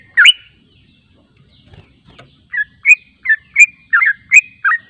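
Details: Lure recording of a yellow-vented bulbul meant to make other birds respond: one lone chirp, over two seconds of quiet, then a quick string of bright, bubbly, warbled notes at roughly three per second.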